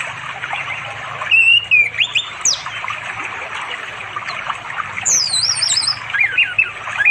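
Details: Orange-headed thrush singing to attract a mate near a forest river in rural East Java, late afternoon. Varied whistles and quick warbled, high trilling notes in a looser sequence, with running water audible throughout; Android recording.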